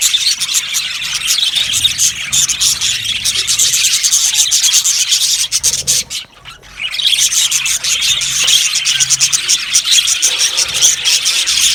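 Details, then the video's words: Aviary colony of yellow budgerigars chirping in a busy, rasping chorus that drops briefly to near quiet around the middle before resuming at full volume. "Budgies chirping sounds"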